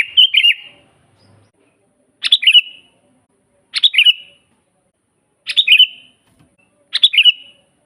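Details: Sooty-headed bulbul singing vigorously, a natural master recording for training caged birds and luring wild ones: five short bubbly, chirping phrases, each dropping into a trailing whistle, repeated about every one and a half seconds in a quiet setting.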